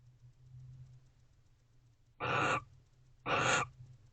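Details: Two barn owls sharing affection inside a nest box late at night, 11:57 pm, 19 November 2023: after a quiet start, two loud raspy screeching hisses about a second apart, over a faint low background hum.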